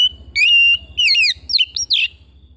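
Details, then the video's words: Home-kept Oriental magpie-robin singing loud, varied whistled phrases: a steady high note breaking into rapid slurred, downward-sweeping notes, then short sharp bursts, over a faint low rhythmic hum. "Terapi Burung Kacer Rumahan Dua Puluh Empat Jam"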